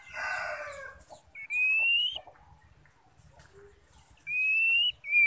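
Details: Female white-rumped shama calling to stimulate males to sing: clear, pure whistles that rise gently and are held for about half a second, spaced by quiet gaps, after a short burst of rough noise.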